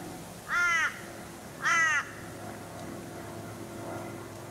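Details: Torresian crow (Corvus orru) on the Sunshine Coast, Queensland, in August 2021, gives two harsh, nasal caws about a second apart, each slightly descending, over quiet background hum.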